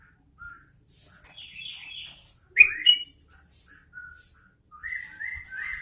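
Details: Sooty-headed bulbul singing vigorously: short clear whistled phrases, some level and some rising, given in quick irregular succession with brief pauses, plus faint high hissing bursts in the background.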